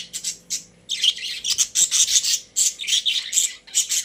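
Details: Pet budgerigars in their cage give a continuous, fast warbling chatter of loud, buzzy and squeaky high notes, several per second with barely a pause, over a quiet room hum.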